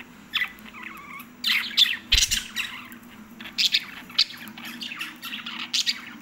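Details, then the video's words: Pet lovebirds giving bursts of shrill, harsh squawks and chirps in uneven clusters, several sharp calls close together, over a faint low indoor hum. "love birds kothai birds speaking"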